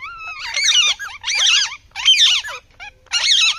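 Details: Rose-ringed parakeet chattering in four loud bouts of rapid, wavering, harsh squawks, each about half a second long, separated by short pauses.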